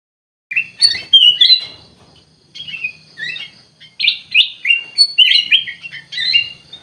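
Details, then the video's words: Bulbul (kutilang emas) singing actively: bright, chirpy warbled phrases of short slurred notes, some rising and some falling, delivered in quick bursts with brief pauses between groups. "KUTILANG EMAS GACOR COR COR"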